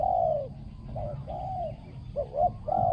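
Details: Spotted dove used in decoy trapping of wild doves, noted for a small, ringing voice and strong coo; loud drawn-out cooing notes alternate with short double coos, over a low rumbling background.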